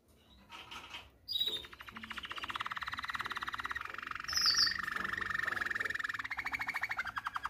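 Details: Malinois canary tutor song, an error-free model for young canaries to learn from: long, fast, evenly pulsed rolling trills in a mid pitch, with one brief high, bright whistle in the middle.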